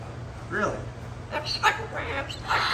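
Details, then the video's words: A pet Moluccan cockatoo mimics speech, "talking" in four short, raspy, word-like phrases over about three seconds, with a low electrical hum underneath. "Moluccan Cockatoo Parrot “Talking”"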